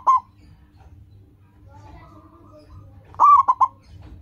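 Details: Local zebra dove, a lively singer used as a lure to train caged doves to sing, gives a brief coo then, after a pause, a loud three-part cooing phrase: a rolling coo followed by two short clipped notes.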